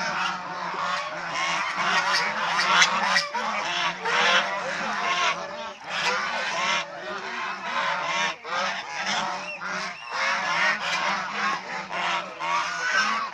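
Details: Domestic swan goose flock, a kept bird shown playing, bathing, resting and fighting; long stretch of clamorous honking, many birds trading short nasal calls in irregular bursts with brief lulls.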